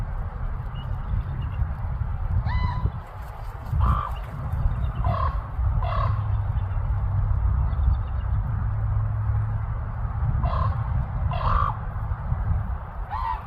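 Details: Common raven calling in Anchorage, Alaska: a loose series of about nine short, throaty, harmonically rich calls spread irregularly across the recording, some in quick pairs, against a steady low-pitched background roar.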